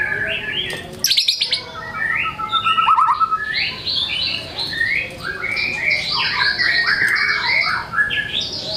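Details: White-rumped shama singing a long varied medley: sharp rattles, a falling run of quick notes, then a busy stream of short whistled and chattering phrases.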